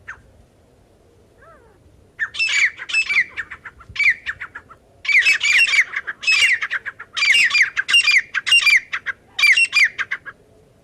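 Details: Partridge calling, used as a lure to catch partridges: after a quiet start, bursts of rapid, grating squawks come in groups of three to five, separated by brief pauses.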